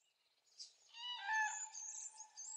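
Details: Cranes calling at dawn on 3 April 2016: overlapping harsh, trumpeting notes rising from quiet into a loud chorus, bright upper overtones, a sudden burst in the middle, then steadier calling.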